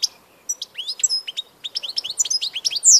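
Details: European goldfinch song from 16 March 2014: a quick run of bright, liquid, upslurred chirps and twitters, rising in pace and ending on a sharp high note.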